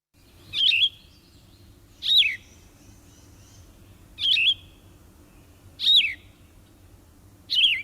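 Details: Yellow-throated Vireo singing during spring migration in southern Michigan: short, raspy, burry phrases like a rougher red-eyed vireo, each under half a second, spaced about one and a half seconds apart, over a low steady hum.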